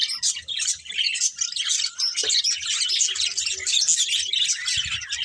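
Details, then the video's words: Colourful pet budgerigars chirping while eating: a dense, continuous chatter of high twittering and warbled chirps from several birds, with soft low knocks and rustles underneath. "Colourful Budgies Chirping Sounds | Love Birds Eating"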